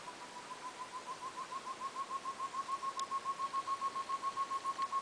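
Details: A short-tailed antthrush walking and foraging on the forest floor at Corupá, Santa Catarina, Brazil, gives a steady series of hollow, mid-pitched hoots, three or four each second, swelling louder and creeping slightly higher.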